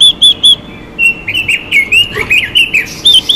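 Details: Female Chinese hwamei, sounding to provoke males: three clear arched whistles, then a busy mix of slurred, buzzy and downward-sliding notes, ending with more bright repeated whistles.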